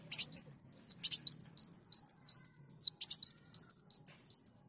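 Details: Sunbird singing on a lure recording, a rapid run of high, thin whistled notes, each sliding sharply downward. Two or three per half second, broken by short harsh buzzy bursts, with a faint low hum beneath.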